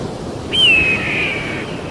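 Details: Eagle cry: a high whistle sliding down from its sharp onset, then holding a steadier, fading tone for about a second, over soft background noise.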